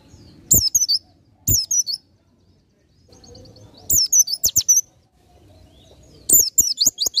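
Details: Oriental white-eye in ngalas nembak song, for masteran: repeated loud bursts of thin, very high twittering and slurred notes, five phrases in a few seconds, separated by short silences with faint clicks.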